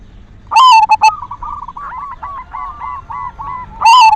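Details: Lure song from a silver zebra dove meant to arouse other doves into singing. A loud burst of bubbling coo notes opens and closes the clip, with softer repeated coos from another dove in between.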